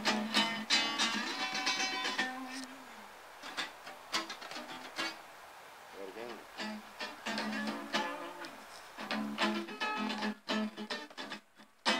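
Plucked guitar music plays throughout with no animal sounds heard.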